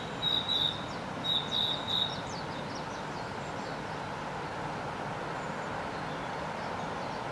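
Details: Narcissus flycatcher singing from a tree in Gifu Prefecture, Japan, in May 2024: a brief phrase of clear whistled notes around two seconds long, then only steady background noise for the rest.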